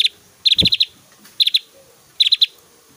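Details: Javan grey-throated white-eye giving loud 'tembakan' song bursts: three quick clusters of four or five sharp, high ticking notes, roughly a second apart, with a brief low thump among the first cluster.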